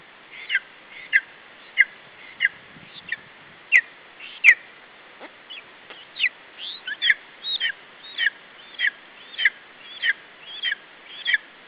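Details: Lesser spotted eagle chick at an Estonian nest fending off an adult from its food, July 2012 afternoon; steady series of shrill, slurred squeals about every half second, with a few sharp knocks midway.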